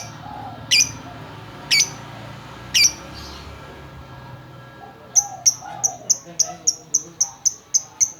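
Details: Female lovebird calling. Three sharp high chirps come about a second apart, then a quick, even series of shrill clipped chirps, roughly three per second, over a low background hum.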